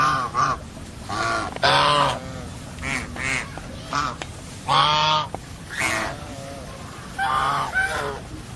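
Geese honk in loud, harsh, nasal bursts, some short and some drawn out, coming irregularly about once a second with no other sounds standing out.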